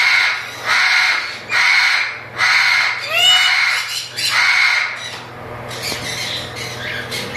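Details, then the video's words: A breeding pair of chattering lories with eggs give harsh, broadband squawks in bursts about every three-quarters of a second, loud and grating, with a few shorter sweeping notes and a low background hum. "chattering lory breeding pair"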